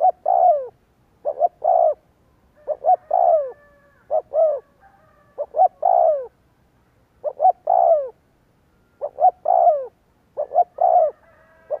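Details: Spotted dove lure call meant to set wild doves cooing. Soft, low cooing phrases repeat steadily, each with quick short notes ending in a drawn-out descending coo, with no other sounds.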